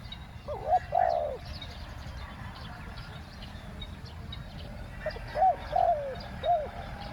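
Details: Spotted dove kept as a lure for wild doves, giving 'ku-ang' two-note coos: a phrase of two or three rounded coos at the start, a long pause, then another three-coo phrase, with faint low background noise.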